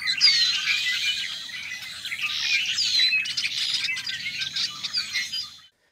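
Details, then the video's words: Red-winged Blackbirds in a flock returning to roost at dusk in a cattail wetland in spring, Illinois: a dense cacophony of overlapping chips, whistles and squeaky calls, continuous and high-pitched. "if it's like most Wetlands you'll be treated to a cacophony of their variable and delightful calls as the light dims and the Red Wings return to roost"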